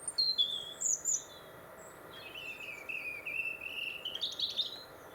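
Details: European robin singing in winter in Warwickshire, England, along the Monarch's Way: high, thin warbled notes, then a long sliding, wavering phrase that climbs into sweet high trills, against a quiet background hiss.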